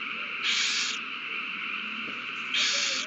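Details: Owls at the nest on 21 March 2020, excited after a mouse is passed between them; two soft, airy hisses about two seconds apart over a quiet background.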